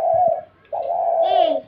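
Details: Spotted dove calling inside a room: a short level coo, a brief gap, then a longer smooth coo held for nearly a second, with a faint thin whistle laid over its end.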